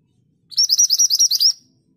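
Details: Scarlet minivet, locally called mantenan gunung, singing actively in a long rolling style used as a tutor song: a quick run of about eight high, upswept whistled notes, each rising sharply, delivered in roughly one second against a quiet background.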